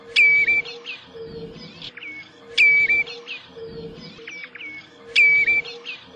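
A common redshank gives a clear, high whistle that drops and then levels off, repeated about every two and a half seconds, with softer calls from other birds and a faint steady hum.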